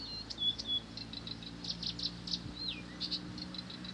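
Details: Blyth's reed warbler singing nonstop: a rapid, uneven stream of short high chirps and clicks, a couple of thin whistled notes and one falling slurred whistle, over a steady low mechanical hum.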